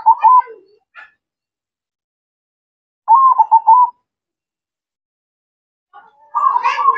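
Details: Local zebra dove (perkutut) singing actively: separated rolling coo phrases of quick quavering pulses, one at the start, one after a three-second pause and another at the end, with faint rustling.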